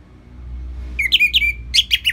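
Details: Orange-headed thrush, kept in captivity, singing for training songbirds: a level whistled tone broken by quick rising chirps, then a faster run of bright repeated notes.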